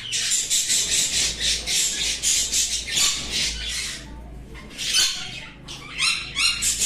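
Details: Sun conure calls in rapid, rasping screeches, packed densely at first, then a short lull followed by fresh bursts of shrill squawking. A low steady hum sits underneath.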